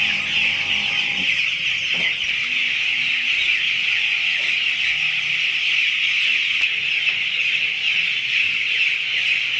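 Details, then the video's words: Flock of broiler chickens on a poultry farm, day 9 of farming: an unbroken wash of shrill, overlapping high peeps, steady in loudness throughout, with faint low knocks in the background. "Broiler Poultry Farming Day 9"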